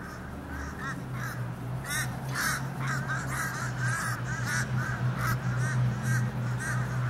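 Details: A mob of fish crows, recorded in October, gives a dense stream of short nasal caws from many birds at once, overlapping with no steady rhythm, over a low steady hum.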